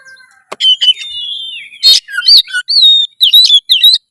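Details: Loud Oriental magpie-robin song used to stir breeding drive and fight mode. A long drawn whistle leads into quick sweeping upslurs, rapid chirps and a buzzy burst, about two notes per second.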